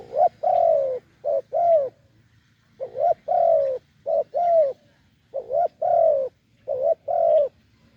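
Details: Low cooing of a wild spotted dove with a deep voice, approaching a decoy, in phrases of a brief note then a long, gently falling hoot, grouped in threes with short pauses.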